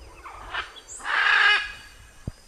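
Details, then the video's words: Blue-and-yellow macaw giving one loud, harsh, raspy squawk lasting about half a second, preceded by a shorter fainter rough note, in quiet surroundings. "CANTO DA ARARA CANINDÉ"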